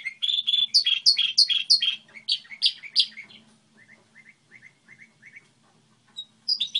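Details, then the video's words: Song model from a goldfinch hybrid: a string of loud, sharp bouncing chirps, then a slower series of soft, evenly spaced short notes, and a final bright twitter, with a low background hum. "Hibrid sticlete ,model de cântec (Goldfinch hybrid)"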